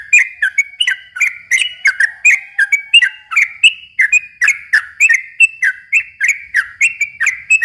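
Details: Rapid, sustained song of a yellow-vented bulbul, used to lure young birds: a steady stream of liquid whistles with clicking onsets, about three notes each second throughout.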